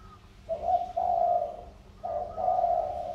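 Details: Tame decoy spotted dove of the Sóc Trăng strain, two years in training, calling eagerly: paired low, hoarse coos, a short note followed by a longer sustained one, the pair given twice in about three seconds.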